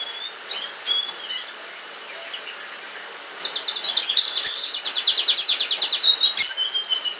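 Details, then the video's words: Orange frost canary, one of a pair, giving a few soft whistled notes before launching into a loud rapid trill of repeated chirps that runs for several seconds. "Canary Singing"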